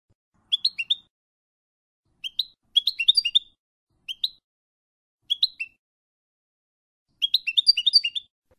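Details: European goldfinch training song for young birds, F.O.C.S.E code: short clusters of three to six sharp twittering notes separated by pauses of one to two seconds, quiet and clean.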